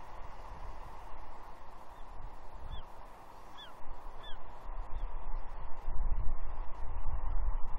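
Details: Juvenile bald eagle, a female, perched with her father on a gnarly tree at Two Harbors, Catalina, on 30 June 2021, begging for fish with her wings mantled: a burst of high, curved squee notes against a continuous wind or surf hiss.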